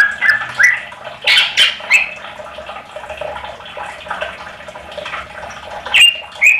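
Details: Greater green leafbird lure song to make other leafbirds respond; bursts of whistled and squeaky notes early on, a noisy middle stretch, then sharp slurred whistles near the end.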